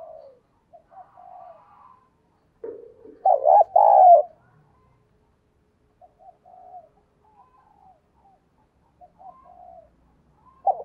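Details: Decoy spotted dove cooing and calling to lure wild doves: soft, low, hoarse coos in short groups, with a louder burst of cooing in the middle.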